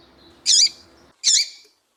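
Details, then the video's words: Female Double-collared seedeater piping to excite males: a pair of bright, sharp high chips roughly three-quarters of a second apart over steady low hum. "Esquentar coleiro com Piado de fêmea de coleiro e coleiro tui tui cantando"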